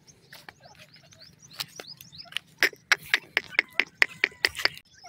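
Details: A pair of grey francolins, locally called Iranian male teetar: softer scattered chirps build into a loud run of sharp, ringing notes, about ten in quick, uneven succession over the last three seconds.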